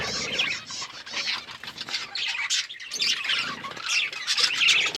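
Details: Pet budgies chatter in a crowded flock sound. Harsh squawks and high, rapid chirps overlap constantly, swelling toward the final second.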